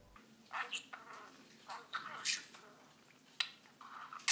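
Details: Caged budgerigar that has just begun talking attempts words it has learned: raspy, chattering speech with short scratchy bursts and sharp clicks, about five phrases in four seconds in a quiet room.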